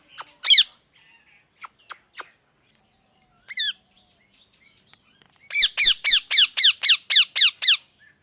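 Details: Natural parrot chirping: scattered short ticks and a few isolated falling calls, then a long, steady series of about ten harsh downward-slurred chirps repeated roughly four times a second.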